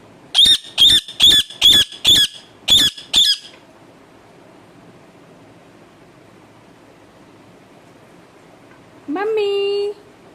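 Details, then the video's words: Pet parrot kept indoors giving seven sharp, harsh, high squawks in rapid succession over about three seconds, then a long quiet stretch of room noise and a single steady, buzzy tonal note near the end. "bolane wala tota"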